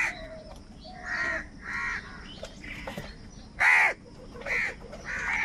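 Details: Scattered harsh crow caws of varying loudness, the strongest a sharp, ringing caw near the middle, with others softer and farther off, as crows fight for food.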